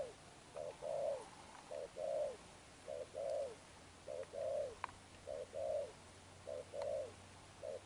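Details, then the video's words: Wild-caught spotted dove cooing in the 'Sấm Thổ' style. Evenly spaced pairs of a short note and a longer hollow falling coo, six pairs over background hiss with a faint low hum and a few clicks. "Thúc Đồng Pha Sấm, Gù Âm Sấm Thổ"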